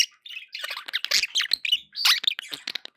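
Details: Continuous budgerigar warble from pet birds: quick chirps, clicks and squeaky twitters tumbling together with scarcely a break.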